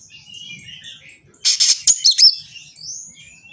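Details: Aggressive white-rumped shama seeking an opponent, delivering a short burst of loud, harsh, buzzy notes after faint high warbling, the main phrase lasting under a second.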